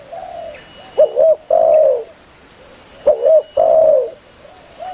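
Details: Energetic spotted dove calling its companions for hunters' luring; two phrases about two seconds apart, each a pair of quick bouncing hoots and a long drawn coo that sinks at the end, softer coos in between.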